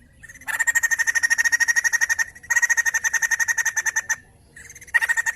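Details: White-crested laughingthrush singing strongly to encourage other birds: two long bursts of rapid, harsh repeated notes with a short gap between them, then a quieter start of a third burst.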